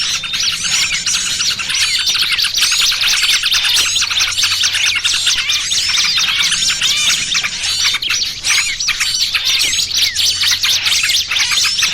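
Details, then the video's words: Long stretch of a small-bird trapping lure, trucukan ribut mixed with 'burcil kejepit': a relentless wall of high, twittering chirps and quick slurred notes from many birds at once. "Suara Pikat Burung Kecil Paling Ampuh!! trucukan ribut kombinasi BURCIL KEJEPIT"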